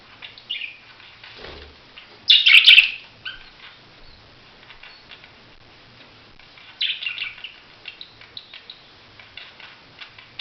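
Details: Budgerigar with a loud, harsh burst of chatter, a quiet spell, then a string of scratchy chirps and soft clicks.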